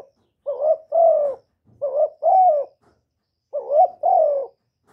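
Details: Spotted dove calling and cooing with no background noise: three phrases, each a clipped rising note running into a fuller, drawn-out falling coo, delivered in an even rhythm with pauses between.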